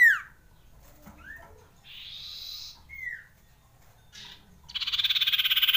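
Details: Common iora song used to stir breeding urge: short slurred whistles dropping in pitch, a soft buzzy hiss between them, and a loud rapid buzzing trill to finish.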